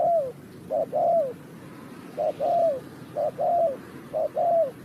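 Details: Spotted dove used in bird trapping, Ninh Thuận. Clear, mellow low-pitched coos come as a quick short note then a drawn-out falling note, the phrase repeated four times at an even pace over a quiet background.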